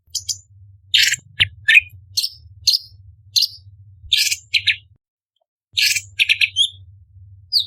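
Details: Orange-bellied leafbird (cucak cungkok), a contest tutor bird with sharp 'tembakan' bursts, giving short scattered chirps and buzzy high notes in quick separate bursts, with brief pauses and a low steady hum beneath.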